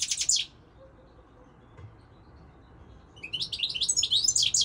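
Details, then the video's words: European goldfinch singing: a short burst of bright, tinkling twitter at the start, a pause, then a longer run of rapid, liquid, high chirps and trills with sharp notes rising and falling, over faint low background hum. "Singing Goldfinch, saka kusu تغريد الحسون الاروع هذا الموسم"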